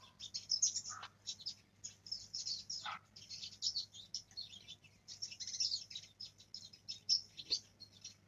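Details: A young black-throated canary learning to roll its song practises a rambling, high twittering of quick chirps and short trills, with a few lower notes, over a low steady hum.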